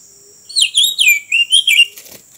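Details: An Oriental magpie-robin song used for trapping birds by a roadside: a quick run of five rich, varied whistled phrases that swoop up and down, with a faint, steady high hiss behind.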